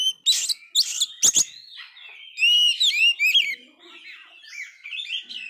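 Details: Oriental magpie-robin that failed to moult and is very vocal: sharp clicks and scratchy notes open, then a varied warble of whistled sweeps and chatter fading toward the end.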